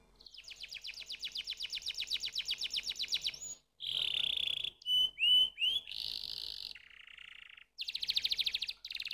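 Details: Canary song made of contrasting tours: a long fast high trill, a harsh buzzy burst, several quick swooping whistles, a lower buzzy hum, then another rapid trill after a brief silence.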